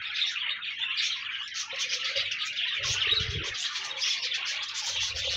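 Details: Pet budgerigars, played to keep a lonely budgie company and coax it to sing, fill the air with dense, continuous warbling and chirping chatter from several birds, with brief low thumps underneath.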